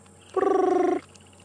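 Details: A Brubru heard on a sunrise safari drive on 10 December 2014 gives a single rapid, purring trill of about two-thirds of a second, steady in pitch and likened to a ringing phone, over light background hiss.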